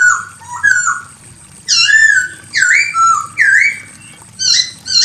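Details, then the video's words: Female Chinese hwamei calling the male: loud, clear whistled phrases, slurred notes rising and falling, delivered in bursts roughly every second with short pauses between. "SUARA POKSAY HONGKONG BETINA GACOR MEMANGGIL JANTAN"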